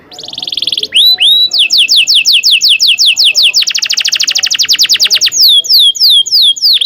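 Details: Canary in full long song, used as a tutor for young birds learning to sing: a steady buzzy high roll, then quick rising whistled notes, a fast even trill, and sweeping downslurred notes repeated several times a second.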